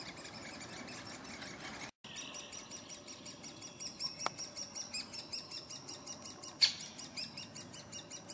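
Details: Great spotted woodpecker at a nest in Furuberget, Hamar, Norway, summer 2017, recorded handheld on a Panasonic Lumix FZ2000: a steady run of high, buzzy pulses, about three a second, rising in loudness, with a few sharp single clicks and a brief dropout.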